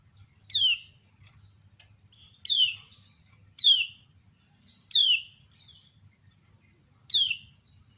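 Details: Female common iora calling while other ioras answer: repeated loud downslurred chirps every second or two, mixed with softer twittering notes and a few brief clicks, over light low hum.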